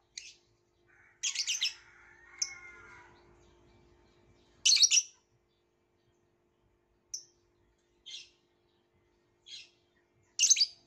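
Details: Violet lovebird giving harsh, high chirps and short squeaky notes, with a soft warbling murmur early on and sparse single calls later.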